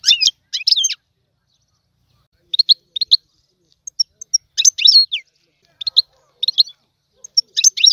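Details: Goldfinch song in the tiwawati style, scattered bright chirps and short twittering bursts with downward-sliding notes, separated by brief silences, over about eight seconds; clean and quiet.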